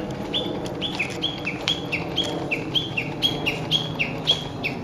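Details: Japanese bush warbler singing in woodland of an ecology park, recorded 06/12: a steady run of paired whistled notes, a high clear note dropping to a lower one, repeated about twice a second, over a low background hum.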